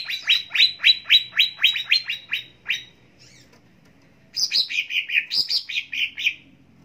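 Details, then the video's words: Greater green leafbird song used as a training lure gives a quick run of bright, down-slurred chirps, about three a second, then after a pause a burst of higher, sweeter warbled notes. "Pancingan Dan Masteran Cucak Ijo Pagi Siang Sore Dan Malam Agar Cepat Gacor"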